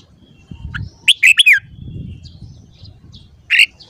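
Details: Morning song of a red-whiskered bulbul: a quick phrase of four bright whistled notes falling at the end, then a single short note, with low rumbling background.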